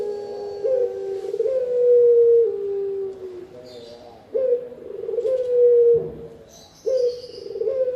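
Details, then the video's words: Repeated low coos of a Spotted dove, a sound used as a lure and for training other birds. Sustained mellow notes sag slightly in pitch, with phrases restarting every couple of seconds. A faint high chirp is heard in the background. "Burung Tekukur-Derkuku Enak didengan Ampuh Buat Pikat dan Masteran"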